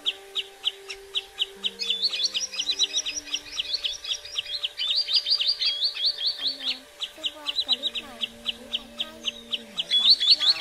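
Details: Common greenshank calls used as a lure for night netting of migrating birds in the seventh to ninth lunar months: rapid series of sharp, high whistled notes that quicken into a faster, higher run midway, over low steady tones.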